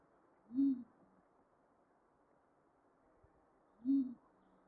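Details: Two short, deep, hollow coo notes from a pigeon, spaced about three seconds apart, in near silence with only a faint low hum between them.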